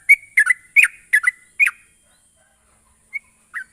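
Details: Sooty-headed bulbul (trucuk) lure sound for quick, continuous singing: five loud, bubbly whistled notes in under two seconds, then silence broken by two soft single chirps.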